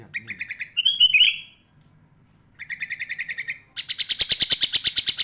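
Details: Sooty-headed bulbul, a kutilang with full 'isian' imitations of other birds meant as a training tutor: brief chirp trill, a loud slurred whistle, a pause, then two fast rhythmic trills, the last louder and richer.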